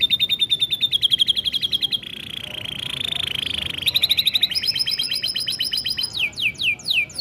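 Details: Singing canary, used as a lure to get young canaries singing: rapid repeated chirp trills, a long buzzy warbling roll in the middle, more quick doubled chirps, then several steep falling whistles.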